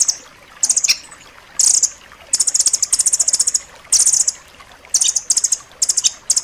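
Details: Sharp, closely packed song of the rambatan loreng, used to train caged birds: high trilling bursts of rapid notes separated by short silences, some bursts longer and rattling.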